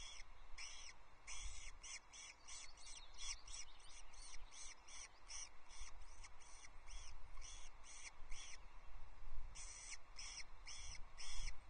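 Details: At a Loch Arkaig osprey nest on 23 May 2024, with a wandering chick and its mother: repeated short high piping whistles in runs, slightly downslurred, over constant low wind noise.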